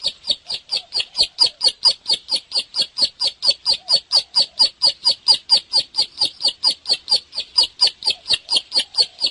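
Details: Bar-winged prinia, described as gacor or singing hard: around forty piercing, high chip notes delivered in an even, metronome-like stream of roughly four per second, loud and clean throughout.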